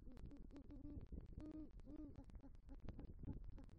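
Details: Great horned owl male at a nest tree in Southwest Florida, 3 November 2023, bringing rodent prey and calling for the female: a steady run of low, soft hoots throughout, with frequent sharp clicking and tapping noises.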